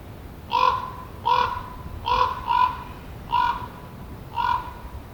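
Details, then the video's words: Common raven (Corvus corax) croaking: six harsh, hoarse croaks, roughly one a second, with a soft hiss of background noise. "Raven Croaking"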